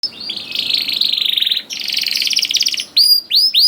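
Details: Canary song used to lure young canaries into singing: long, fast buzzy trills rolled on a high pitch, broken by a short gap, then three sharp downward-sweeping whistled chips.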